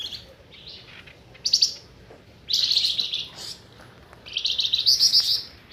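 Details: Flamboyan bird lure call used for trapping: scattered bursts of high, thin, buzzy chirping, a short burst, then a longer rattling phrase and a final shimmering series of tweets, separated by quiet gaps.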